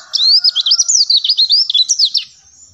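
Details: Oriental white-eye, a caged bird, singing a therapy song meant to make other caged birds answer; a fast, loud twittering warble of high looping whistled notes, continuous for about two seconds, then a short pause.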